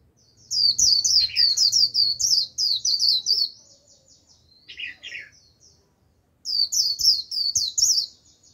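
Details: Caged white-eye singing as a lure for wild birds: long runs of fast, high, tinkling twitters, broken by a lower buzzy slurred call, then another rapid twittering burst.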